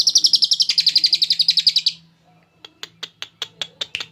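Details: Chattering ngekek from a champion lovebird with a cililin-style filling, meant for tutoring: a two-second run of quick high pulses that falls slightly, then silence and a steady series of sharp clicking ticks.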